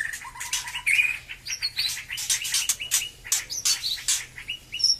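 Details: White-rumped shama singing after moulting, just regaining full song; high sharp chips and scratchy bursts follow a brief whistled phrase and a fast low trill.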